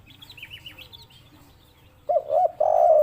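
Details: Spotted dove of the local 'kuk 3' type gives loud low coos near the end, a short hoot then a long, falling note. Faint, high, thin chirps from another bird come first.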